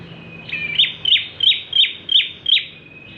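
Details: A bar-winged prinia in full voice, its song used to lure other birds: six high, sharp chipping notes repeated evenly about every third of a second after a short whistled lead-in.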